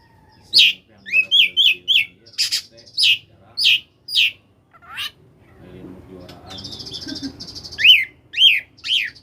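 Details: Koslet song of an oriental magpie-robin, used to coax lazy magpie-robins to reply. A fast series of sharp whistled notes, roughly two per second, with a buzzy rattle and a low background murmur.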